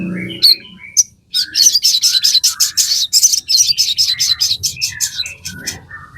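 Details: Sogon singing in full, a song played to train captive birds: dense high chattering with rapid repeated notes and short whistled slurs, continuous and energetic, over a faint low hum.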